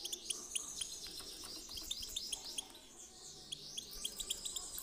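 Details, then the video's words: European goldfinch song in a 'chi chiu' style, used to bring other birds into singing mood: a fast, continuous twittering of high, tinkling notes and short rising-falling slurs, about four notes a second, with light background hiss. "پیت پیتک/صدای سایره چی چیو برای مستی"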